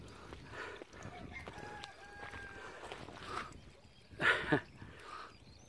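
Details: Chickens kept near old mine workings on a walk up Carn Marth, Redruth, Cornwall, in damp conditions by a running stream, give short harsh squawks, loudest in two bursts near the end, over steady rushing and a faint thin whistle.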